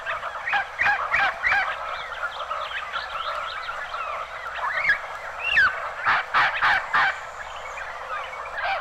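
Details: Red-crowned Parrot from northeastern Mexico, archival recording; overlapping squawks and chattering whistles from several calls, ending in loud rasping bursts, with a Common Ground Dove in the background.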